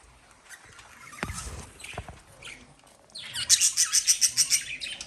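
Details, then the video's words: Pet lovebirds: a few scattered soft chirps and low knocks at first, then a quick burst of sharp, high, evenly paced chirps, about three or four per second. "Love Birds Sound Relaxation"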